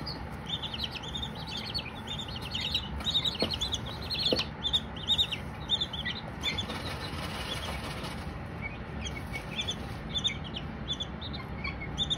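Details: Chirping baby Silkies: high repeated peeps from several chicks, a brief flutter of wings midway, and a couple of sharp knocks, all over continuous low background noise.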